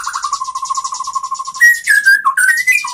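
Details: Training song of a white-rumped shama, played so other shamas learn to sing: a steady rapid trill of low notes, then clear rising and falling whistles over a buzzy high rattle.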